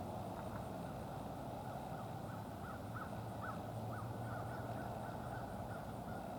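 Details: A wild American crow family calling while greeting friends: a string of short, harsh caws repeated roughly every half second, partly buried under steady loud rumbling background noise.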